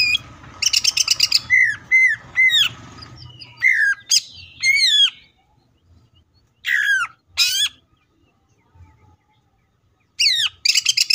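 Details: Greater green leafbird song, "full tembakan" style: rapid high ticking bursts alternate with repeated downward-sweeping whistled notes, separated by silent gaps, ending with another fast chattering run.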